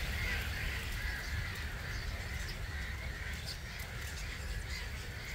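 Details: Around 250,000 starlings leaving their roost at 05:45 on a March morning at Gibraltar Point NNR, seen from a hide; a dense, unbroken wall of chattering calls with a low wind rumble underneath.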